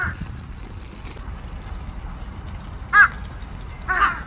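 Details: Two short, sharp caws near the end from a flock of crows coming to feed on March 18, 2026, after a quiet stretch with faint low rumble.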